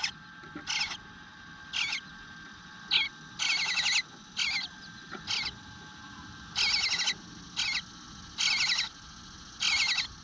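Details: Nestling eastern bluebird begging from the nest on a June morning in 2022, left unfed for a while: about ten rasping, buzzy bursts at uneven intervals over ten seconds, each a quavering run of high notes.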